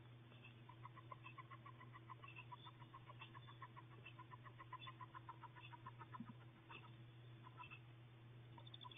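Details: Wood duck hatching in a nest box after 32 days of incubation: continuous rapid series of soft, short peeps, many per second and irregularly spaced, with an even low electrical hum throughout.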